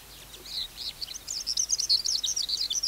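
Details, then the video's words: Wild-caught adult skylark singing, beginning faint and soft before swelling into a quick string of high, sharp twittering notes and short trills that grows louder toward the end. "Sơn Ca Bổi Hót Giọng Cực Hay"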